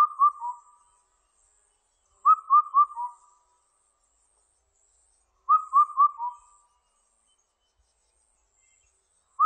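Indian cuckoo singing a mellow four-note whistled phrase, the last note dropping lower, repeated about every three seconds against a quiet background.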